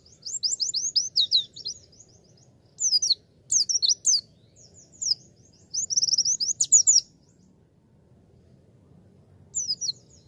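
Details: Javan white-eye tutor song for training young birds: very high, rapid twittering bursts of about a second each, separated by short pauses, over a faint low background rumble.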